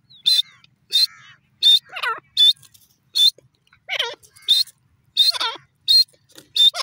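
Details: Teetar, the grey francolin, calling: piercing high clipped notes repeated roughly every 0.6 seconds, interleaved with falling, slurred lower whistles, all loud and near against a silent background.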